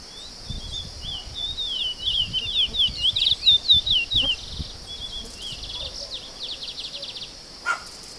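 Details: Chestnut-bellied seed finch song: a run of clear, varied whistled notes that slur up and down, then a quick series of short repeated notes, over a steady high insect-like hum from the countryside.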